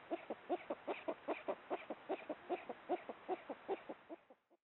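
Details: Eurasian eagle-owl of the subspecies hispanus at night during mating with a receptive female: a steady run of about twelve low hollow hoots, roughly two or three per second, fading out at the end.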